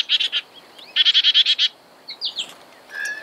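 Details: Black-capped chickadee giving rapid runs of buzzy, harmonic-rich notes, one burst of about four and another of about seven, followed by scattered short chips.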